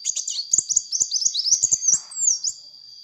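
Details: Energetic sunbird chattering nonstop to lure other birds: dense strings of sharp high chirps and quick looping whistles, ending in rising slurred notes. A constant thin background tone and faint clicks are present.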